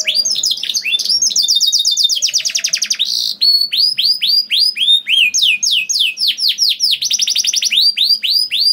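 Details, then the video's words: Canary singing continuously: rapid downward whistled sweeps, rolling trills and a short buzzy burst, phrases changing every second or two, played to coax other canaries to sing. "PANCINGAN KENARI GACOR DOR NGEREK PANJANG INI AMPUH BIKIN KENARI LAIN BUNYI"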